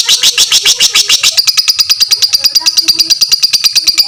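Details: Long ngekek by a fighter lovebird, used to train other lovebirds; rapid rasping high chirps that speed up into a tighter, thinner buzzing trill after the first second, steady to the end.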